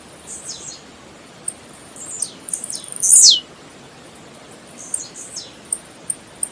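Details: Tiziu song, Blue-black grassquit, for warming up singing: soft descending buzzes lead to one strong, shrill downward-sliding buzz, followed by fainter repeats and isolated high ticks.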